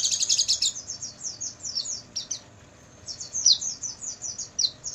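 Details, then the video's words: Oriental white-eye song recorded at night, used for training caged birds: rapid high chirping twitters and short descending trilled phrases in quick bursts, with a brief pause mid-sequence before the chatter resumes. "MASTERAN PLECI MALAM HARI,AGAR PAGI GACOR BUKA PARUH dan bongkar isian"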